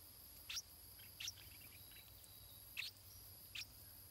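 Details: Stripe-throated bulbul chick in the nest, being fed. Four separate high, sliding chirps are heard, with faint softer twitters between them.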